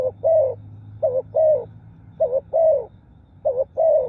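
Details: Four steady cooing phrases of a spotted dove, a brisk two-part warble leading into a longer soft falling coo, delivered at an even pace with a quiet low rumble beneath.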